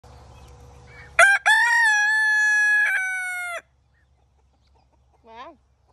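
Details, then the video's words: Rooster crowing while held in a person's arms: a short rising note, then one long, loud, steady crow held for over two seconds before cutting off, followed by a brief quieter rising call. "Rooster crows in my arms"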